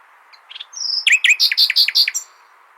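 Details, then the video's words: Common nightingale song used to tutor goldfinches: soft opening chips, a high whistle, then a lively string of loud, regularly repeated slurred notes. "تغريد جميل للعندليب لتحفيظ طيور الحسون"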